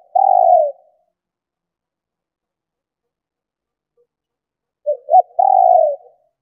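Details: A female spotted dove coos to stimulate males: a long steady low coo, silence of several seconds, then two short hoots leading into another long coo.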